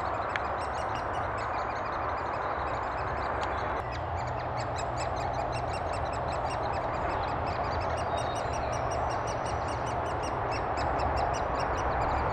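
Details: Great spotted woodpeckers in Thurrock woods on 20 May 2014, adults feeding their chicks, filmed with a FinePix HS50EXR: a rapid, steady train of high, clipped notes repeated about four times a second over constant hiss.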